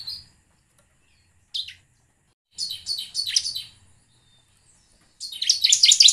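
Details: Bar-winged prinia song used as a lure for singing birds, heard more sparsely here: a few isolated high chirps, then short bursts of rapid, slightly ragged high notes near the end.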